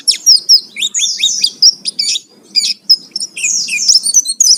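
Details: Oriental white-eye (pleci) in full song as a lure to prompt singing: loud, high, rapid twittering phrases of sweeping downslurred notes and sharp chips, delivered in quick bursts.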